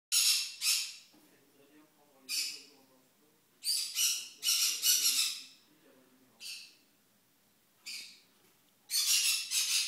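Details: Several small green-cheeked conures screaming very loudly: harsh, broadband shrieks in bursts of about half a second, some in quick doubles, separated by gaps of one to two seconds, with faint low murmuring between.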